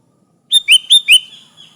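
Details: Sooty-headed bulbul song meant to call rivals, used as a lure: one quick phrase of four bright, slurred rising notes in rapid succession, followed by a fading thin whistle.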